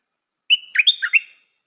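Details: A single song phrase from a caged Stripe-throated bulbul kept as a decoy: a held whistled note breaking into three or four rapid, bubbling up-and-down notes, clean and free of background noise.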